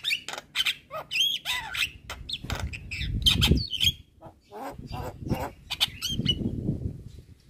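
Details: 'Gacor' Javan myna song for training cage birds: loud grating squawks and slurred whistles in quick succession, with a low rumbling background beneath parts of the phrase.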